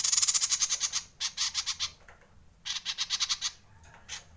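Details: Frightened common iora, used as a lure sound: loud, harsh, rapidly pulsed high-pitched chattering in three bursts of quick repeated notes, separated by short pauses, with a faint low background hum.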